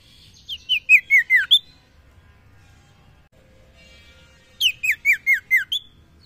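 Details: Calling females, a common iora or sirtu gives two matching phrases about four seconds apart. Each is a quick string of falling whistled notes, stepping down the scale and ending on a higher upturned note.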